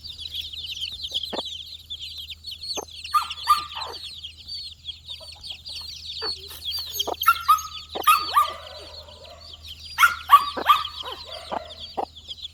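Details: A flock of four-day-old chicks forages for insects. Shrill peeping is dense at first, thins out in the middle, then returns with scattered taps and clicks and a few short, level tones near the end.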